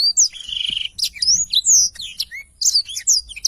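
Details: Black-throated canary singing vigorously in 'gacor' style as a master recording: opens with a fast buzzy rattle and a steady whistle, then continues with varied high slurred whistles and sharp chirps.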